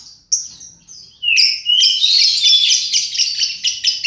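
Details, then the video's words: Lure recording of a lovebird 'paud' meant to make birds sing: a few thin high chirps, then a sudden outburst of fast, dense squeaky chattering with regular pulsing peaks. "Pancingan love bird paud"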